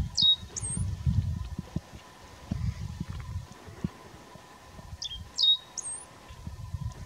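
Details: Great Pampa-finch singing at Itatiaia National Park, Brazil, in August 2018: two short, high, thin phrases about five seconds apart, each a few sharp slurred notes ending in a rising whistle, over low wind rumble.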